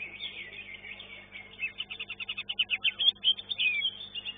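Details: Caged greater green leafbird in an Indonesian songbird competition class, placing second: rapid run of short, sharp repeated notes rising into bright whistled and slurred phrases, with softer chattering song of other birds behind.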